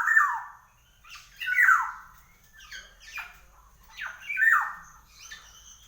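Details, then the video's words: Rasping, descending squawks from a black-naped oriole (kepodang), singing actively, given in loose pairs and singles over about six seconds, the loudest at the start and near the end. "Burung KEPODANG GACOR"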